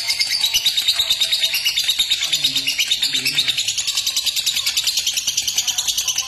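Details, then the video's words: Clear lovebird ngekek, played to coax lovebirds into long ngekek bouts: an unbroken, high, rattling chatter of fast pulses, steady in loudness throughout, with faint low murmurs underneath. "Burung Lovebird Ngekek Jernih Pancingan Buat Lovebird Ngekek Panjang"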